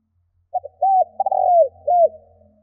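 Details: Captive decoy spotted dove giving the 'gáy gù' cooing style used to draw in wild doves: two quick short coos, a brief arched coo, then a stuttering note running into a long falling coo, and a final arched coo; faint low hum behind.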